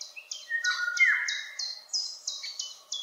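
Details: Eurasian golden oriole, singing high up at a distance, gives a clear fluty whistle that falls in pitch, while another bird's piercing high notes repeat roughly three times a second throughout.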